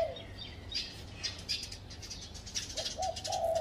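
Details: Lively high chirping and twittering from small birds fills most of the recording. Near the end, a spotted dove perched on a tree at home delivers one low phrase of two short coos and a long held coo.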